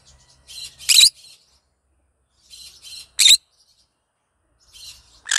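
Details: Green conure calling in the morning, described as a happy bird singing: three harsh, raspy screeches, each led by softer scratchy chatter, come about every two seconds with quiet gaps between them.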